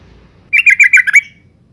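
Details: Female yellow-vented bulbul calling to lure males into song: a single rapid burst of about six chattering, slightly harsh notes delivered in under a second against a quiet background.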